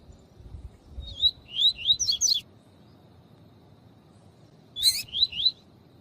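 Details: Tui tui tutor song of a male double-collared seedeater, a female calling along to excite males. Rapid rising whistled notes run in two bursts, each a quick run of three to six, with sharp buzzy accents.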